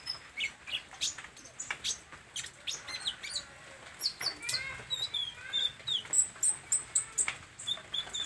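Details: Olive-backed sunbird (kolibri ninja) in lively, full song, showing off its learned repertoire: rapid sharp ticks, then high, thin trilled chirps in quick succession, some phrases sliding down in pitch.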